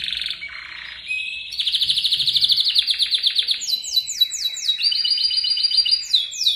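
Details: Canary in a rolled training song for other birds: a soft lower trill builds into a loud fast roll, followed by quick repeated descending whistles and a high rattling phrase.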